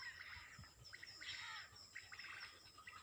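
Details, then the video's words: Early-morning birdsong, softer and more distant: scattered short chirps and warbling phrases over a thin, steady high-pitched hum, possibly insects, with faint low background rumble. "Birds Best singing in early morning"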